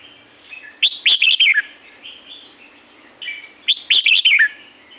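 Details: Red-whiskered bulbul song recorded in Pa La-u forest, Thailand: two loud phrases of rapid, fluty chirps about three seconds apart, each introduced and followed by gentler whistled notes.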